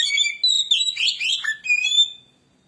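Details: White-rumped shama (kacer) singing as a lure: a continuous warble of varied whistles, buzzy notes and a descending slur, finishing on a clear whistle that fades out.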